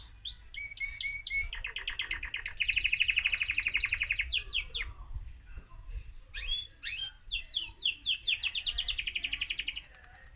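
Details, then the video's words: Excited male mosaic canary singing to stimulate other birds, varied phrases: steady repeated notes, a fast buzzy rolling trill, sweeping slurs, then a bright rapid trill at the close. "أجمل تغريد ذكر كناري هائج موزاييك لتحفيز طيورك"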